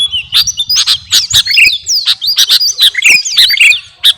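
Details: Kutilang garuda sooty-headed bulbul singing energetically for captive-bird training: steady rapid series of clear chirps and sliding whistled notes for about four seconds.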